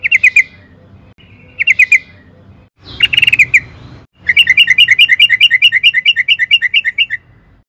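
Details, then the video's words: Sooty-headed bulbul (trucukan) lure song for cage-bird training: brief bursts of quick chirps, a short pause, then a long, rapid, even series of bubbling notes. "Pancingan trucukan gacor agar BUNYI jadikan BURUNG TRUCUKAN GACOR NYAUT EMOSI"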